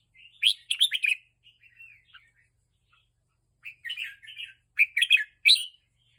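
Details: Caged red-whiskered bulbul, being excited by teasing, giving bright, bubbling whistled phrases in two bursts separated by a short pause, with chirpy notes between them.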